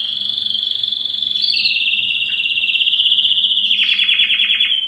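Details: Belgian canary delivering a long, continuous high rolling trill, slightly wavering in pitch, breaking into quick pulsed notes near the end.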